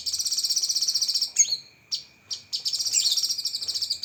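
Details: Cucak kinoi (lesser green leafbird) giving sharp 'tembakan' phrases for masteran training: a long, fast, pulsed high trill, then brief slurred whistles and a second rapid chattering burst. A constant thin high tone runs underneath.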